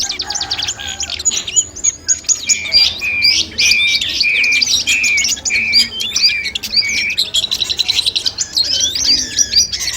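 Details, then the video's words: Long-tailed shrike song, compiled as mastering audio for a mental test before a bird contest: a continuous, rapid high warble of repeated sharp chips and buzzy trills, with a steady run of clipped notes through the middle. "masteran kumpulan suara cendet tes mental sebelum lomba"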